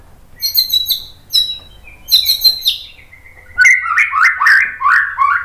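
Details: White-rumped shama in full 'tembakan' song, meant for training birds to reply and sing often: short bursts of high chipping notes separated by pauses, then a run of lower, fluid, warbled whistles.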